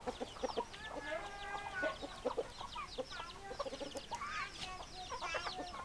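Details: Chickens clucking in a flock: many short, overlapping clucks and drawn-out harmonic calls tumble over one another continuously, with brief rising squawks near the middle and a faint background murmur.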